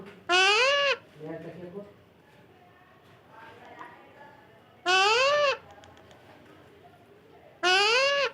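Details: Parrot repeating a loud, nasal, arched call three times, several seconds apart, with softer faint notes and room noise in between.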